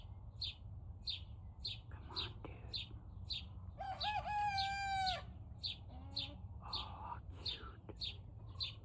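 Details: {'caption': 'Young Turken chicken learning to crow at about 5 am: one strained, squeaky crow lasting just over a second with a wavering top, then softer squawks, over a steady series of high chirps repeating about twice a second.'}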